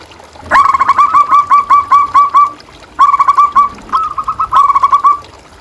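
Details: Zebra dove (perkutut) in a gacor master recording used to train and stimulate caged doves: loud, clean trains of rapid rolling coos at one pitch, three phrases split by short pauses.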